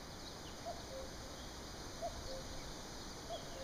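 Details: Common cuckoo (Cuculus canorus) gives its soft two-note 'cu-coo' song, the second note lower, repeated about every one and a half seconds over a steady background hiss.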